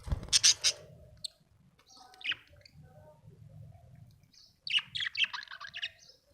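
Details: Happy budgerigar gives a loud scratchy chirp burst, then scattered single tweets, ending in a run of fast, bright, high warbling chirps over faint low background hum.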